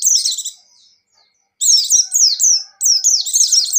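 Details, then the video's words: White-eye (buxtoni) in vigorous 'gacor' song: a buzzy stacked trill, a pause, then two long rapid runs of high zigzagging whistled notes poured out almost without a break. "Suara Burung Pleci Gacor + Pleci Ngecir"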